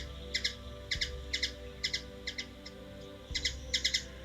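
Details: Washington DC hummingbird, USA, uttering crisp paired chips at an uneven pace with a short pause midway, then resuming; faint low hum and a couple of soft thumps behind.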